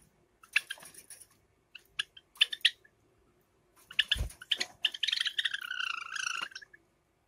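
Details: Indoor summer recording of a pet Java sparrow pair, light silver ino and sakura, with clipped chirps building into a run of rattling notes and a long, wavering, pulsed trill that sags in pitch, plus a soft thump.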